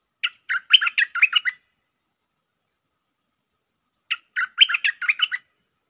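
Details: Bulbul song used as a lure, in a doubled style. Two matching bursts are split by a pause of several seconds, each a rapid string of liquid, bubbling chirps that rise and fall. The background is quiet.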